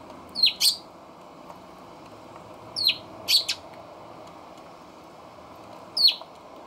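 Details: Eurasian tree sparrows calling on a balcony near a feeder, 28 October 2020: pairs of bright, descending chirps spaced about two and a half seconds apart, five notes in all, over a faint constant hum.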